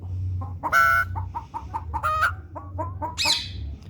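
A common myna imitates a hen with a run of short clucks about every quarter second, broken by a few loud harsh squawks, over low background hum.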